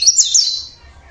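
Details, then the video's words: Brief burst of high, sweet twitters from a local Javan Oriental white-eye, natural sound, lasting well under a second before fading to silence. "burung pleci lokal Jawa bunyi alami"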